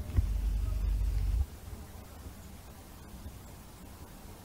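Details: A low engine-like rumble for the first second and a half gives way to a quiet background hum, with no animal sound.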